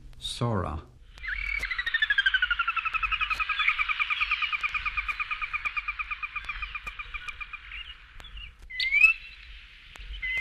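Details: A Sora from a 1961 eastern/central North American bird-song guide gives a long, fast whinny of high squealing notes that slowly descend and slow over about six seconds, after a brief spoken announcement.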